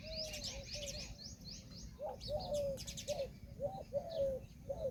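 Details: Indian peafowl peahen giving short, slightly arched honking notes, mostly in pairs or singles, repeated about every half second to second, with thin high chirps from other small birds overhead and a steady low rumble beneath.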